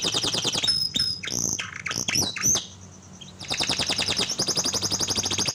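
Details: Canary singing as a lure for a canary that has stopped singing: whistles and varied chirps, a brief pause, then a long rapid high trill.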